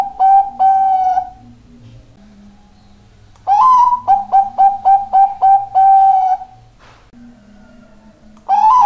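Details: Bangkok-type zebra dove in full, lively song, giving rapid bursts of short soft cooing notes that close with a drawn-out coo; two phrases plus a starting note, separated by pauses, with little other sound.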